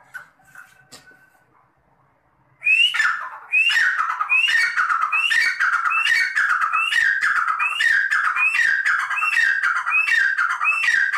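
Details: Partridge, called teetar, from a keeper of red and black partridges: after a faint, quiet start, a loud run of calls begins, each a sharp rising note dropping into a harsh, descending churr, repeated nearly twice a second.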